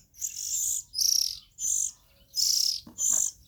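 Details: Oriental magpie-robin nestlings utter five breathy, high-pitched hissing calls, each about half a second long, spaced by short pauses.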